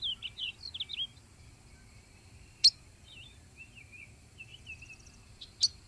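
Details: Ultramarine grosbeak: an opening burst of quick, high warbled whistles, then sparse softer slurred notes, with two sharp clicks standing out in an otherwise quiet setting.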